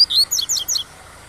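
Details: Double-collared seedeater (coleiro pardo) singing the tui-tui style over waterfall sound, as a teaching song for captive birds. Quick run of high whistled and slurred notes in three tight bursts, then quiet with a soft constant background hiss.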